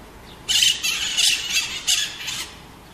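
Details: Pionus parrot, known locally as maritaca, calling with four harsh, scratchy squawks spaced roughly half a second apart, loud and grating against a quiet background.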